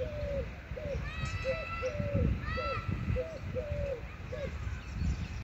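Collared dove giving soft, hollow three-note coos repeated in quick succession, over a low rumble, with another bird's brief higher chirps twice.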